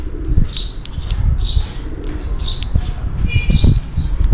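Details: Sparrows chirping for food on a rainy day: crisp high notes about once a second, one a brief twittering burst, over dense low-pitched rain and background noise.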